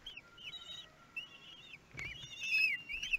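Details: Nestling kestrels begging at a feeding, day 13, Théding nest, France, June 5, 2022: thin wavering whistles and short squeaks, ending in a louder, sharply rising then falling shriek, with a soft thump midway.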